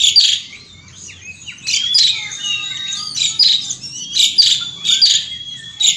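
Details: Outdoors, an Asian pied starling delivers 'gacor ngeroll' song, harsh squawky bursts mixed with sliding whistles and softer lower warbles, the rhythm of loud notes quickening toward the end.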